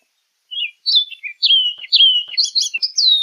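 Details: Orchard oriole song opening with soft notes, then building into bright, sliding whistles and fast chirps that climb higher toward the end, with no other sounds.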